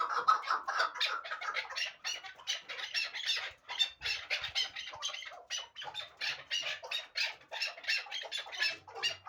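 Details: Hybrid partridge bred for fighting and hunting, giving a dense run of harsh, chattering notes packed closely together, loud and continuous throughout with few gaps.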